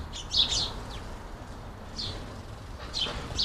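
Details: House sparrows feeding at a busy squirrel buster feeder in a UK garden utter sharp, slightly buzzy chirps in short bursts separated by brief pauses.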